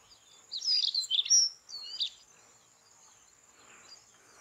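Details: White-tailed stonechat (Saxicola leucurus) in the evening on Padma/Ganges char lands gives a quick, scratchy phrase of high chirps and thin whistled notes lasting about a second and a half, over a steady high insect hum.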